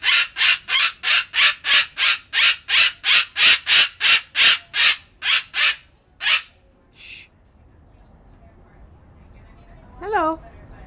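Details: Pet female umbrella cockatoo on her first day outside in 2008, yelling loudly; harsh raspy screeches repeated rapidly for about six seconds, then a single shorter squawk and quiet, ending with a brief human voice.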